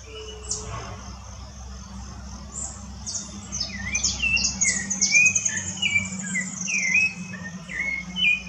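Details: A Rufous-bellied thrush sings in the woods, starting after a quiet spell with a flowing series of liquid, looping whistles. Busy high twittering from other birds and a low background hum accompany it.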